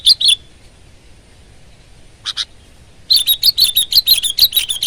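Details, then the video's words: Sooty-headed bulbul (kutilang) in full song: a couple of sharp chirps, a brief buzzy burst midway, then a long rapid string of about a dozen bright repeated notes. "Kutilang Gacor Garuda Suara Full Power"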